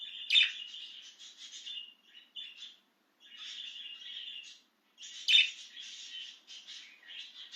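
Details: An excited pet budgerigar out of its cage chatters in bursts of rapid, scratchy warbling chirps mixed with sharper clicks, broken by short pauses and a brief silence near the middle.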